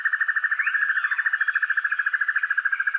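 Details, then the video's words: Banded broadbill, used as a master recording to train birds: a steady rapid trill of evenly spaced pulses, about ten per second, with a faint arched whistle in the middle. "Sempur-Hujan Rimba: Penampilannya Garang, Suaranya Sangar Untuk Masteran"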